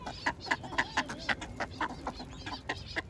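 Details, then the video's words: Duck being fed bread, uttering short, nasal, clucky notes in a steady run of roughly two per second, with softer overlapping calls in the background. "鴨 鳥の鳴き声"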